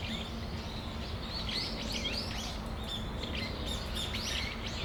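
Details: Brown-eared bulbuls, December afternoon, Tamagawadai Park: loud looping squeals and sharp upslurred notes stand out from a constant chattering flock, with a faint low hum underneath.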